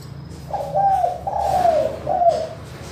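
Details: Clear-voiced spotted dove giving a manggung call, used to lure lazy doves into calling: one three-part coo phrase, a short note, a longer drawn-out falling note, then a brief closing coo.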